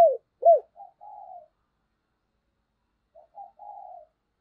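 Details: Spotted dove used as a decoy, calling to provoke others to coo: two strong arched coos, then soft short notes and a drawn-out slurred coo, repeated faintly after a three-second pause.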